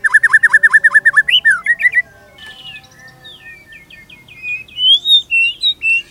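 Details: White-rumped shama rattles off a quick series of down-curved whistles, then shifts to softer high twittering and ends with loud, sweeping high whistles.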